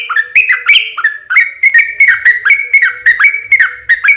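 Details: Yellow-vented bulbul singing a lure song meant to make others answer: a few slurred whistles open a quick run of sharp, ringing chirps at an even pace, over a faint low hum.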